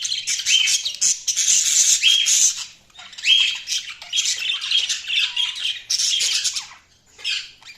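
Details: Continuous budgerigar chatter: dense, high, scratchy warbling with repeated short whistled notes, fading briefly near the end before resuming.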